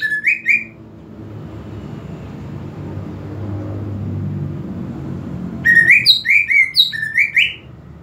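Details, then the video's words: Greater green leafbird song meant to provoke aggression in a bird lacking fire: a short burst of rising whistled notes, then a quiet stretch with low rumbling background, then a rapid run of loud, ringing whistled phrases. "PANCINGAN EMOSI UNTUK CUCAK IJO KURANG EMOSI"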